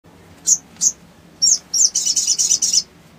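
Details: Sooty-headed bulbul, a male calling to find a rival, gives short high chirps at first, then a fast run of bright repeated notes near the end.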